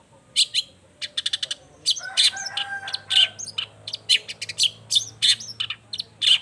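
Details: Long-tailed shrike singing energetically as a lure to make other shrikes respond; dense rapid chattering of sharp clicks and harsh notes with short whistled tones mixed in.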